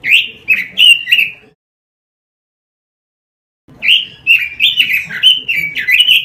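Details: Robin song for tutoring caged birds: a brief burst of three or four sharp warbled notes, a two-second silence, then a longer run of rapid slurred whistles rising and falling.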